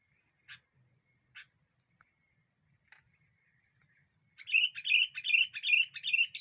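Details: Energetic sooty-headed bulbul used to rile up other birds while trapping: a few scattered dry ticks, then a fast run of bright bubbly chirped phrases repeated roughly twice a second until the end.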